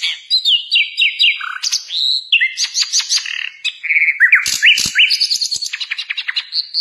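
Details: Loud sikatan londo (nightingale) song for training other songbirds: a run of repeated descending whistles, then clear held tones, clicking bursts and rapidly repeated high notes ending on a sustained whistle.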